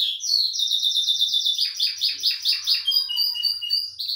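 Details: Belgian canary singing a lot while sunbathing: a loud, continuous high trilled song of rapidly repeated sweeping syllables, pulsing about five times a second, shifting to steadier whistled notes near the end, with no other clear sounds.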